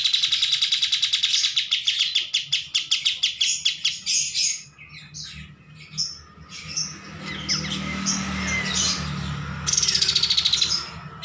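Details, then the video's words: Bulbul song serving as a master recording: a fast run of evenly repeated sharp notes for about four seconds, then a pause and loose chirps and squeaks, closing with another quick pulsed burst. "MASTERAN KAPAS TEMBAK GACOR"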